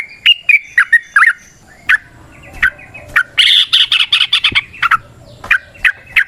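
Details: Wild yellow-vented bulbul, 'ropel panjang' song used as a lure. A few separate bubbly notes, then a short dense burst of chatter and more spaced chirps.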